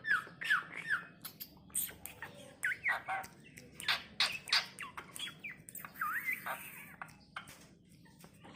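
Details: Tame, talkative Asian pied starling that can speak, uttering harsh squawks, chattery bursts and sliding whistled notes in quick varied succession, with speech-like phrases in between, indoors with little background noise.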